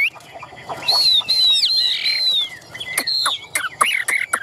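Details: Tame caged Chinese hwamei, shown fanning its tail and lifting its wings while clinging eagerly to the perch, gives long, clear whistled phrases that slur up and down, then a burst of sharp, quick notes.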